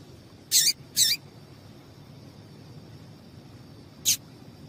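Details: Female papa-capim seedeater calling to excite males: three short, sharp high chips, two close together near the start and one more after a pause of about three seconds, over a faint steady hiss.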